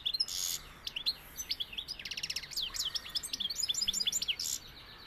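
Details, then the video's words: European goldfinch, of the Sevillian type, singing: a fast, high, liquid twittering of trills, tinkling notes and buzzy bursts, with a rapid rattling run in the middle. "Jilguero sevillano"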